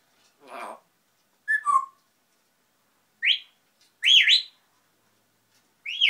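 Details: Pet grey parrot babbling to itself: a low buzzy murmur, a short falling whistle, then bright rising and zigzagging whistled notes spaced about a second apart, with quiet pauses between.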